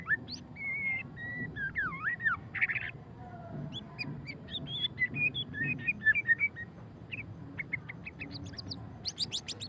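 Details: White-rumped shama, a murai batu, singing in the fast chattering ngeriwik style: varied clear whistles, sliding and looping notes, then a burst of short sharp chips rising into high buzzy notes near the end, over a low steady hum.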